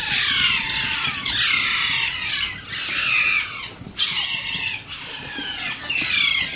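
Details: A hand-fed Alexandrine parakeet chick begging for food gives harsh, raspy squawks in long continuous bursts, rising and falling with brief pauses between them.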